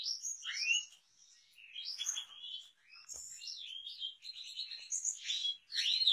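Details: European goldfinch in full song, rapid chattering phrases of slurred whistles, buzzes and tinkling notes separated by brief gaps, one soft click midway.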